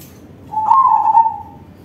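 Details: A single loud, vibrating coo from a crossbred zebra dove used as a lure for other doves, rising slightly at the start then holding a steady rolling trill for about a second.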